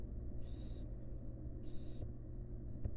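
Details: Wild barn owls in a nest box as the female feeds her fledglings: two rasping, noisy hisses about a second apart, then faint clicks and light knocks, with constant low droning in the background.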